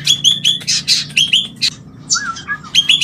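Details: White-rumped shama mating call, meant to bring birds into breeding: repeated short upswept whistles alternating with harsh scratchy bursts, then a pair of low falling whistles, quick and choppy, with a faint hum behind.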